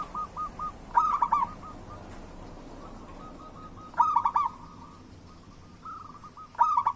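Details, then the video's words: Vigorous local zebra doves, used as a lure to make quiet doves sing: three loud rolling coo phrases about three seconds apart, with soft trilled notes between them over a steady background noise. "Perkutut Lokal Gacor Suara Pancingan Burung Perkutut Paling Cepat Bunyi"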